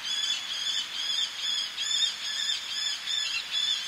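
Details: Eleonora's falcon calling by the sea, a male with females on ledges: a fast, rather blurred run of thin, grating kek notes, roughly two per second, with surf murmuring underneath.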